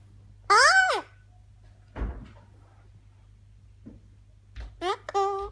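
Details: An Eclectus parrot, a pet, talking: a loud, voice-like phrase with a swooping rise and fall, then two quick talking bursts; a thump and low room hum sit between.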